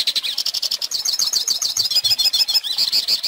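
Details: Song of a hooded siskin, played for young birds to learn: quick twittering notes, about three or four a second, shifting into a rippling run of clear, high whistled slurs.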